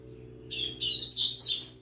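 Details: Young yellow-bellied seedeater heard with a green-winged saltator, delivering a brief, fast burst of high chattering and warbled notes that climbs in pitch toward the end.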